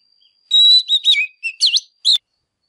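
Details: Single loud phrase of fired-up Oriental magpie-robin song: a long level whistle, then several slurred notes and a bouncing V-shaped swoop, ending in one short bright note.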